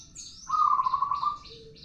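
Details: Zebra dove of a local strain in full song. It delivers one smooth, low, purring roll lasting nearly a second, then a brief soft note. Other birds give high, repeated chirps in the background.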